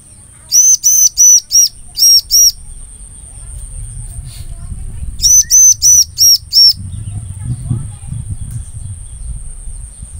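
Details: Bar-winged prinia lure song: fast bursts of loud, arched, metallic notes, five then three, later six more, separated by quiet stretches with low rumbling background noise and a steady high electronic whine.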